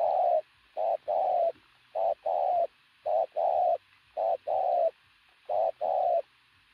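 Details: Loud, deep cooing from a robust decoy pigeon: a run of about six double-note phrases, short then long, with clear pauses between them.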